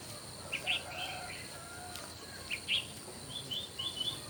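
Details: Red-whiskered bulbuls in a morning singing contest deliver quick, bubbly phrases of several chirped notes, repeated after a short pause. A continuous high hum runs throughout.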